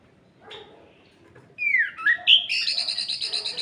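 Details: Orange-headed thrush singing at night, used to provoke other males: a faint note, then a loud descending whistled slur followed by rapid buzzy, pulsing phrases high in pitch.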